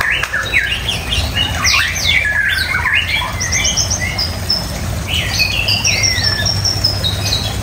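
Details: White-rumped shama singing a rich medley: fast downward-slurred whistles at first, then bright high chirps and twittered phrases, all over a constant low background hum.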